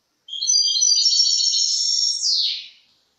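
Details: Goldfinch in 2023 delivering a single drawn-out high rattling trill, steady for around two seconds before dropping in pitch and fading, with no other sounds around it.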